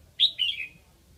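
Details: Decoy red-whiskered bulbul from Lạng Sơn, Vietnam, singing to lure wild birds: one short whistled phrase of two slurred notes, the second sagging downward, against a quiet background.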